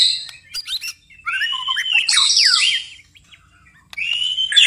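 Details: White-rumped shama singing at night: scattered clicks and short notes, then a loud phrase of sliding whistles with a harsh flourish, silence, and a final bright whistled phrase.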